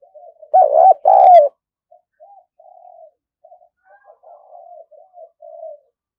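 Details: A lively decoy spotted dove used to lure wild birds delivers two loud, husky, rolling coos, then a string of faint, muffled coo notes spaced unevenly.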